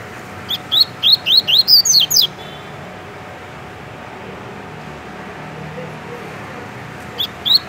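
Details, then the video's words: Tui tui singing by a caged double-collared seedeater in Rio de Janeiro, Brazil: a lively run of about eight rising whistled notes with sharp downswept ones at the end, long silence, then two more notes. "Coleiro TUI TUI MUSTANG dando um show de cantoria"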